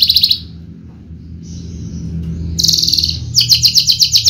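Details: Caged Javan Horsfield's bushlark, a contest bird with a full song repertoire, gives a high buzzy burst, falls quiet, then sings a rapid pulsed trill of sharp notes, with low hum underneath.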